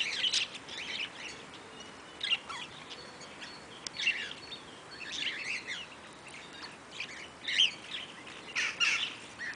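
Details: Eastern rosella (Platycercus eximius) at Velserbeek gives sharp, high chirps and brief chattering bursts every one to two seconds, with fainter chirping underneath.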